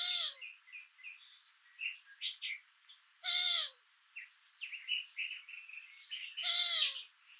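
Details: A hungry female Long-eared Owl at the nest with three week-old chicks, filmed at night in late May, gives a harsh, hoarse, squealing call about every three seconds, begging food from her late-returning mate, with faint high twittering between calls.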